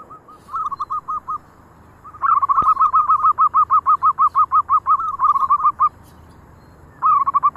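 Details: Local zebra doves (perkutut) give runs of soft, quick cooing notes, about three per second, in bursts; once one calls, the others join and their phrases overlap.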